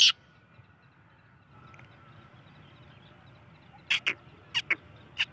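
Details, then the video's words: Black francolin chick giving short, sharp, high peeps, some spaced singly and some in quick pairs, after a quiet stretch with a faint steady hum. "Kala Teetar Pathe Ki Awaz"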